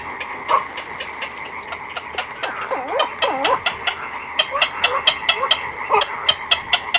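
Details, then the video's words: Black-crowned night herons, chicks and adults, calling at close range in a colony at night: rapid dry clicking notes about twice per second, overlaid by lower, arching, croaky calls from several birds. "Black-Crowned Night Heron. Calls CU From Chicks & Adults In Colony At Night"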